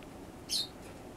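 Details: A green-cheeked parakeet chick on its second day after being taken from the nest, and active in the afternoon, gives one brief, thin, high squeak that slides downward over a quiet room hiss.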